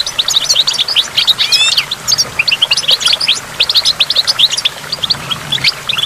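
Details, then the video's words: Goldfinch by a waterfall and water drops, singing a fast jumble of high tinkling chirps with a quick rising sweep early on, phrases following one another almost without break. "in the waterfall stimulates goldfinch and water drops"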